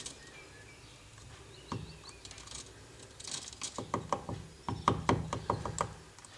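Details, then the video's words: A Syrian woodpecker damaging a window frame on a building in Budapest, 12 April 2015, hammers wood in sharp, irregular knocks, a few at first, then a quicker burst of blows, against a faint background hum. "Balkáni fakopáncs ablakkeretet rongál / Syrian Woodpecker damage"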